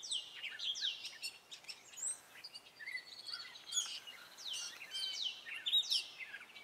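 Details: Male Gray Catbird singing its spring song: a steady jumble of short, varied notes, quick downslurred whistles, squeaky chirps and scratchy bits, some repeated, delivered in a continuous rambling stream with faint background hiss.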